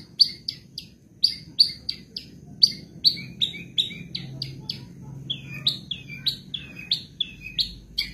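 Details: Madura long-tailed shrike, kept as a songbird, singing a 2023 tutor-style song said to be full of mimicked fills: sharp, high chirps and short descending whistled notes, loosely spaced about every half second, with a faint low hum beneath.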